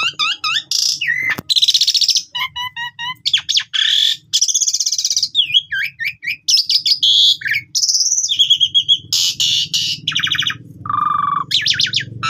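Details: Asian pied starling, full varied training-lure song lasting over twelve seconds: whistles, harsh buzzes, squeaks and rattling phrases mixed in rapid succession, over a faint low background hum.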